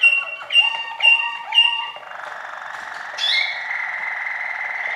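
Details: Waterslager canary singing: four loud bubbling notes spaced half a second apart, then a long, even rolling trill with a brief higher flourish.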